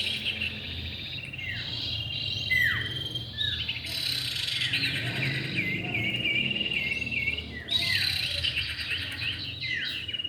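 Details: Common iora, male and female, on a lure recording: sharp downslurred whistles and chirps over a dense, buzzy trill layer, with several overlapping high notes and a steady insect-like hiss throughout.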